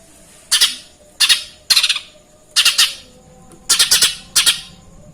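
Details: Lesser green leafbird mimicking Eurasian tree sparrow: scratchy chirp groups of one to four notes repeated at short, uneven intervals, with a soft background hum.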